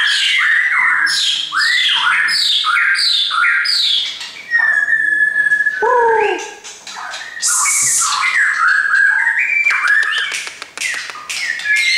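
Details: Caged shamas, a friend's birds, deliver vigorous song: a rapid run of repeated down-slurred whistles, then a long steady whistle, a deep swooping note, and bursts of scratchy, clicking chatter.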